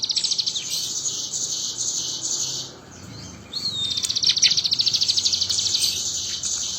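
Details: Crested jay in full song, imitating the bar-winged prinia: rapid, high, buzzy chattering trills broken by a brief pause and a short slurred whistle, then more fast repeated notes over low rumble.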